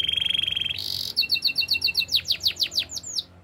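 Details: Master canary singing to train other canaries: a rapid rattling trill, a bright dotted tour of about ten clipped notes, then a series of loud rising swept whistles.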